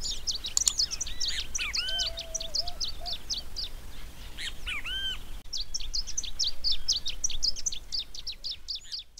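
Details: Long-tailed reed finch singing at length: busy, high-pitched twittering chirps in rapid succession, with a few looping whistled notes and a short low warble, continuing after a brief cut.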